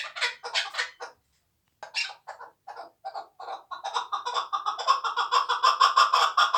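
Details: Hand-reared two-year-old hunting chukar partridge, Tojikobod district: a few scattered clucks separated by a short silence, then notes that quicken and grow louder into a rhythmic, ringing chuckling series.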